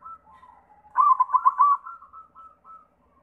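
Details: Lure song of a white zebra dove meant to set other doves singing: quiet coos leading into a loud, rapidly pulsed trilling coo, then soft trailing notes.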